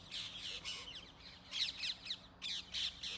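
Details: Harsh, grating screeches from rose-ringed parakeets in Gurugram, India, on a camera's built-in microphone, coming in irregular bursts of about a second that grow louder toward the middle, over low hum.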